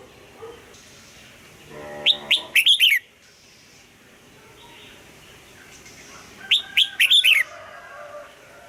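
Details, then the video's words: Morning song of a red-whiskered bulbul for voice training, old-forest double-note style: two matching phrases about four seconds apart, each a quick series of four or five sharp, sliding whistles ending in a downward note. "ép chào mào hót âm kép già rừng hay tuyệt!"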